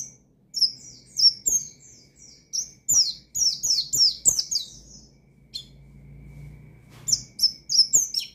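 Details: Oriental white-eye in energetic rival-provoking song, 'ngalas' style: clusters of very high, squeaky twittered notes and quick slurs come in bursts, with a quieter stretch carrying a soft low drone before the chattering resumes.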